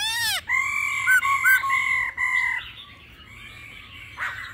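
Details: Laughingthrush with a mature wild-style voice, mixed with female calls to rouse other birds: a sharp downslurred note, then a series of long level whistled notes with short bouncing inflections, fading into softer background chatter.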